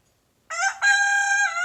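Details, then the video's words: Brief loud rooster crow in a morning backyard: a short first syllable then a sustained, harmonic-rich note, cut off abruptly. "Rooster Crowing in the Morning"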